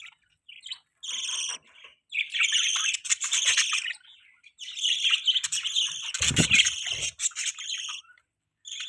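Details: Mating call of a budgie, sustained buzzy warbling chatter in long phrases of rasping chirps, with a short low knock partway through.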